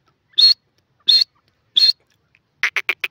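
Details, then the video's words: Grey francolin: three evenly spaced, shrill high notes, followed by a quick burst of four clipped, lower chattering notes. "grey francolin call pheasant birds awaaz"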